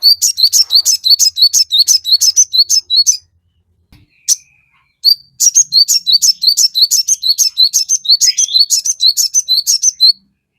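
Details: Crested jay song meant to goad birds into quick, agitated replies: two long runs of high, two-part chipping notes, about three per second, broken by a brief gap.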